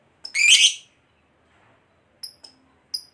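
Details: Fighter lovebird used as a lure to provoke other lovebirds to sing: one harsh, buzzy squawk burst lasting about half a second, then brief high thin chirps after a pause.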